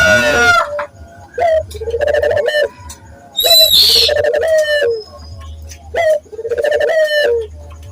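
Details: Barbary dove lure recording for training local doves to sing: rhythmic low cooing phrases repeated about every second and a half, each a short note followed by a longer rolling coo, with occasional high clicks.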